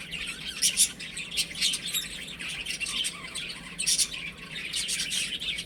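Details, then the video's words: Baby chicks playing at home, a continuous chorus of high thin chirps in overlapping bursts, some brief tonal peeps standing out, with scratchy rustling throughout. "Cute Baby Chicken Chirping Sounds"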